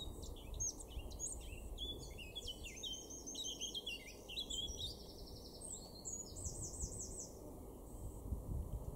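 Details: Garden song of a male Eurasian blackcap in Weener, East Frisia, in Germany's far northwest, April 2024: a hurried, varied warble of short notes building into clearer whistled phrases that fall in pitch, with steady low ambient noise.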